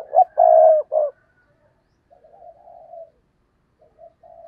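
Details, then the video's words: Decoy spotted dove cooing to lure wild doves: a loud, low, hooting phrase of short notes with one long drawn coo in the middle, followed by softer trailing coos and quiet gaps. "Tiếng Chim Cu Mồi Thúc Gù/ chim cu gáy kích bổi/ mở là gáy"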